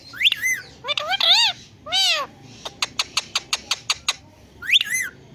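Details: Indian green ringneck parrot, a pet, talking while perched on a plant: harmonic speech-like phrases and arching squawks, then a run of about nine quick evenly spaced clicking notes, more squawks at the end.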